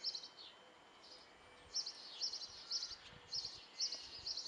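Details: Nine Great tit nestlings in a bird box at a house in Belford, Northumberland, give a high, thin chorus of chittering begging calls in quick overlapping bursts, louder after a quiet start, over faint hiss.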